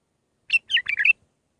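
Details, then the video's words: Bulbul in Mandalawi song style, six phrases, played to tutor young birds: one brisk phrase of about five liquid, slurred notes dipping and rising, clean background. "للتخريج االمخاليف. مندلاوي ب6 لسانات"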